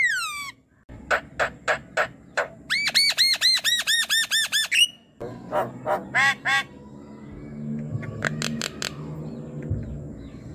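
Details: Night-time Asian pied starling, sluggish and unwilling to call, being lured: a falling whistle, evenly spaced harsh notes, a quick burst of bouncing arched whistles, then rasping squawks with a low hum behind.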